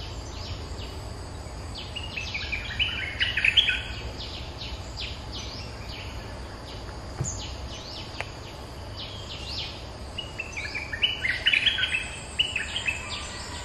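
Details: A resident Streak-eared bulbul calling back at lure calls: two lively bursts of quick, chattering chirps separated by quieter scattered notes, with a constant low rumble behind.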